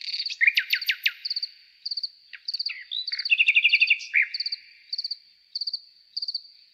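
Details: Nightingale song: loud whistled, rising and falling notes and fast rattling trills in bursts, over a steady, evenly pulsed high insect-like chirping that continues throughout.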